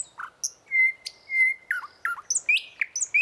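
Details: Thrush nightingale singing in the morning with loud, pure, drawn-out whistles. These are mixed with short dipping notes and quick rising slurs, with brief gaps between phrases.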